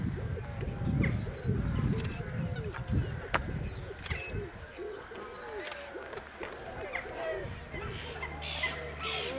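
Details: Spotted whistling ducks at WWT Slimbridge give a busy chorus of short, arched whistles, rising then falling, about two a second from several birds at once, over a low rumble.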